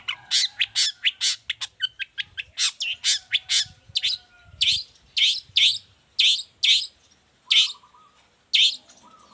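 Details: Lively long-tailed shrike used as a model and decoy for other shrikes: a fast rattling volley of harsh chips that slows into evenly spaced loud rasping notes, with a low warbling phrase between them.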